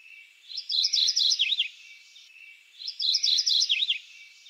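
A Mourning Warbler sings a bright two-part song, a quick run of chirry notes then a lower slurred ending, heard twice about two seconds apart.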